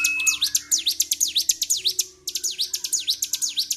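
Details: Highly agitated Bar-winged prinia singing continuously: quick run of piercing high notes that sweep down and up, repeated about twice a second, with a short break midway and a steady low hum behind.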